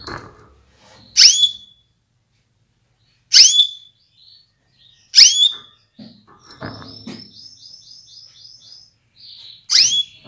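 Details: Female canary calling to stimulate males into breeding readiness and full song: loud, sharp downward-sweeping calls repeated irregularly about every two seconds, with a quieter rapid trill in a pause midway and soft rustling.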